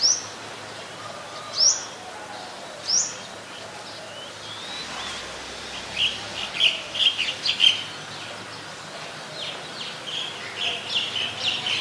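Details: White-vented myna, Thailand's Ubon Ratchathani, 17 July 2020: a few sharp rising whistles at first, then a long run of rapid, rattling chatter notes.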